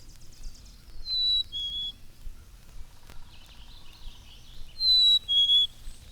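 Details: Friendly Black-capped Chickadee flying in as if expecting food, throwing its head back to whistle a clear fee-bee: two pure notes, the second lower, given twice about four seconds apart, with faint chatter from other birds between.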